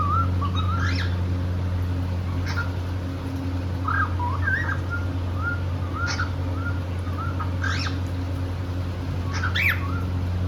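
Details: Happy cockatiel at play in India: irregular warbling whistles with twisted loops and several sharp rising squeaks, a steady low hum underneath.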